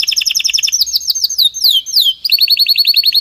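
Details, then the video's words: Strong canary song without faults, used for teaching: quick repeated high notes, a few long sweeping down-slurred whistles, then another fast rolling trill. "canary singing تغريد قوي جدا وبدون أخطاء لتسميع الكناري"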